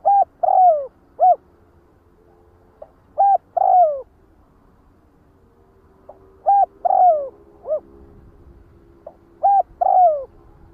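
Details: Spotted dove calling to gather its flock, repeating a three-part phrase four times about every three seconds: a short coo, a longer falling coo, then a brief rounded note. Quiet background.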